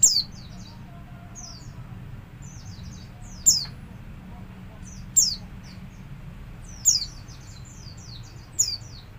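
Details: Pet Javan white-eye giving ngalas-style song as a training lure: scattered short high chips and twitters punctuated every second or two by a loud, abrupt downward-slurred note, against steady faint low background noise.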